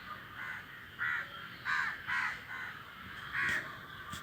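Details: Crows in a flock calling in flight. About seven rasping caw notes come in an uneven series, some close together, with a soft background hiss and a faint click near the end.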